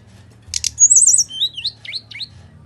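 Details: Bali myna in full fighting song, used as a lure for reluctant singers: two harsh rasping bursts, then a high whistled trill and a string of short looping, warbled whistles, with a faint low hum underneath.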